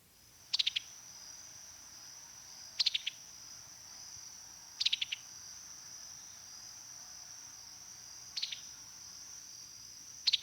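Summer Tanager giving five sharp, clicking pi-tuck call notes at uneven intervals of about two seconds, over a steady high insect drone.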